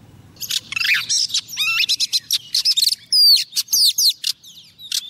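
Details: Singing to call a male, a female Oriental magpie-robin kept as a trapping decoy gives a dense five-second run of sweeping whistles, upward slurs and buzzy chattering notes over a faint low hum.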